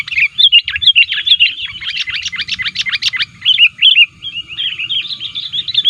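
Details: Lively sooty-headed bulbul chatter for attracting wild bulbuls: a fast run of sharp repeated chirps, then looser warbling notes continuing to the end.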